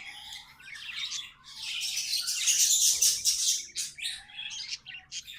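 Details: Pet budgies chattering and warbling: a dense, scratchy stream of high chirps and squeaky notes swelling into a loud continuous burst mid-way, with a faint low gliding tone underneath.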